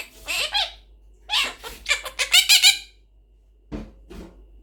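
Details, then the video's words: Pet blue monk parakeet, known as the Quaker parrot, chattering a quick run of raspy, voice-like syllables, then two short low notes after a brief pause, in a quiet room. "Talking Blue Parrot | Quaker Parrot Speaking | Quaker Parrot Talking"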